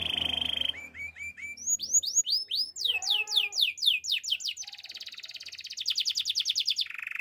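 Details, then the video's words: A male canary moves from a low rolled trill to a run of rising whistled notes and fast sweeping chirps, then into a high, evenly pulsed trill and a lower buzzy ending. "Male canary singing with beautiful voice"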